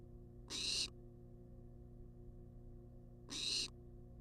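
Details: Wild barn owl at a nest box on a live cam, demanding food: two harsh, hissing screeches about three seconds apart, each under half a second, broad and noisy, over a steady low hum.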